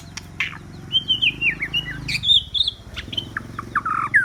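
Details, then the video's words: White-rumped shama used as a lure for rival birds, giving a varied series of whistled and slurred notes over a low rumbling background hum, with sharp clicks interspersed. "Choè lửa mồi chiến shama bird"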